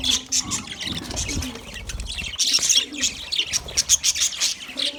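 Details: Feeding budgerigars give busy, high, scratchy chirps in quick bursts, growing denser in the second half, over low cooing from other birds.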